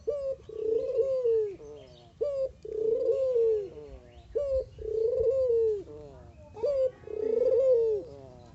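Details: Actively singing mata geni collared dove. Four cooing phrases come about every two seconds, each opening with a clipped rising note and running into a drawn-out, rolling, slightly descending coo, against a quiet background.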